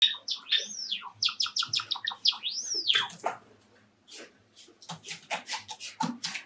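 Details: Courtship song of a male cherry Java sparrow kept indoors as a pet alongside four other Java sparrows: a rapid run of high chirps and clicks, two rising-then-falling arched whistles, then scattered dry clicking notes.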